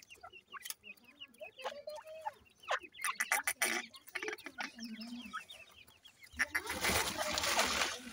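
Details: Grey francolin with its chicks, the chicks calling: thin upward-sweeping peeps in quick irregular series, mixed with lower clucking notes, ending in a loud burst of rustling noise.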